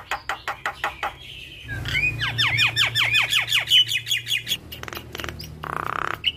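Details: Javan myna (jalak kebo) singing energetically with mimicked fills, recorded to train other mynas: rapid repeated clicks, a run of descending chirps about three per second, then sharp ticks and a harsh buzzy note.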